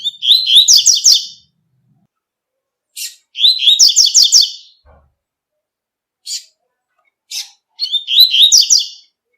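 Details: Outdoors in nature, a double-collared seedeater sings in the tui tui style. Three whistled phrases end in rapid buzzy trills, with short sharp chip notes scattered between them. Nothing else is heard.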